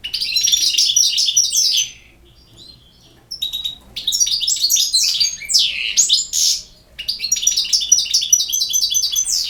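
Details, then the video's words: Rapid jingling phrases from a European goldfinch, broken by a two-second pause and then resuming with sweeping upward slurs and tight trills packed with high, metallic chips. "El Jilguero BiH 27"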